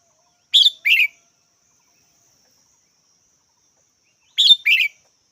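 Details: Twice, about four seconds apart, a red-whiskered bulbul delivers a clipped pair of chirps, high then lower, against silence.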